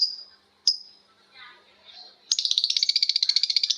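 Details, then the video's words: Long ngekek from lovebirds calling back and forth: after two sharp single calls comes a steady, fast, piercing trill of evenly pulsed notes, about six per second, continuing to the end. "Suara Lovebird ngekek panjang❗Suara bikin Lovebird Betmen vs vio vs paskun saling bersautan."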